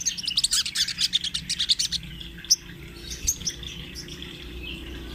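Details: Crimson sunbird of the spotted 'trotol' form delivering its rolling 'ngerol' song for use as a training master: a fast buzzy high trill of dense notes for two seconds, then scattered thin chirps.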